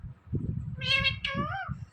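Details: Indian ringneck parrot kept as a talking pet, producing two drawn-out, harmonic, voice-like syllables, the second gliding downward, over a rumbling low background noise.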